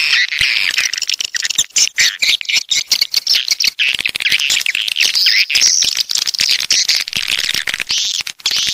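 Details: Southern coastal swiftlets produce a rattling mass of rapid clicks under continuous high, buzzy twittering and chirps from many birds calling at once.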